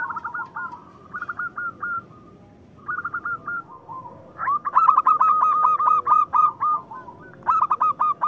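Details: Local zebra dove song, used to stir rivals and coax lazy or moulting birds into singing: bursts of quick hooked cooing notes, softer phrases first, then a loud run of about twelve rapid notes, with a faint murmur beneath.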